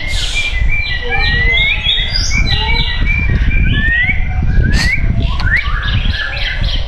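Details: White-rumped shama in a cage at a bird shop in Tangerang Selatan, Indonesia, singing a busy medley of rising and falling whistles and short chirps against a constant low rumble.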